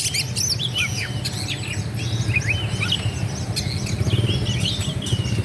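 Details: Oriental magpie-robin (kacer) in full song, meant to provoke rival birds into angry fighting with spread tails. Busy, varied chirps and whistled slurs, rising and falling, come in quick succession over a constant low rumbling background noise.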